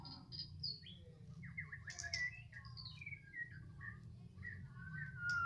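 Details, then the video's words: Medan-type white-rumped shama singing in the afternoon, with a lively string of varied whistled notes, downslurred chips and sweet phrases that change every second or so, over a faint low hum. "Lagi pantau mb MEDAN,, di sore hari,,"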